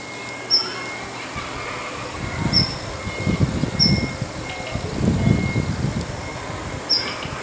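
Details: A single female Daurian redstart calling from a rooftop in the morning: four thin, high, short whistled notes spaced about one to three seconds apart, over low rumbling background noise and a steady faint hum.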